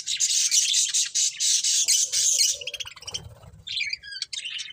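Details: Budgies giving loud, harsh, buzzy squawking chatter in long continuous high bursts, then breaking into scattered shorter chirps and twitters with a little low background noise.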